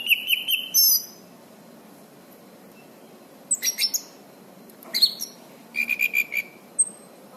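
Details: Orange-banded thrush song for training caged birds: scattered bursts of high chirps, trills and short whistles separated by pauses of quiet hiss.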